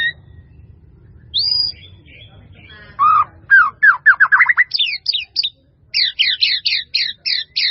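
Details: White-rumped shama, a masteran recording: a high whistle, then a fast series of descending notes, then rapid repeated high down-slurred chips in quick groups, about two per second overall.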